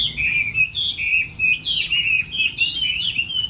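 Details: Contest song of a Chinese hwamei during moult: loud, bright whistled phrases that glide and swoop, linked into an unbroken melodic stream.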